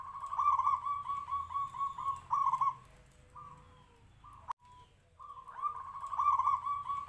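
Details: Zebra dove of local Noyorono katuranggan stock with a deep, big voice gives long runs of fast warbling coos, about four notes a second. A quieter gap with a click falls midway before the loud bubbling song returns.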